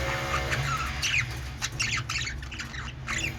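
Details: Budgerigars chirping, with scattered squawky and warbling notes in quick bursts over a steady low hum.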